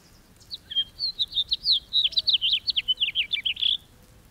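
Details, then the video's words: Song of a house finch, Haemorhous mexicanus: a bright, rapid jumble of warbled chirps about three seconds long, notes tumbling up and down and closing on a drawn-out buzzy slur; faint low calls behind. "The song of the House Finch"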